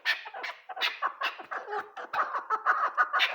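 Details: Chukar partridge calling: a rapid run of harsh, clucking notes repeated about twice a second, rising into a steadier, more tonal chuckling toward the end, with no other clear sounds.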